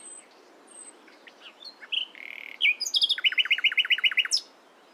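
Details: Nightingale singing in the morning: scattered high thin whistles and short notes build to a sustained whistle, then a rapid, loud series of about a dozen identical clipped notes, ending on a sharp high upslur.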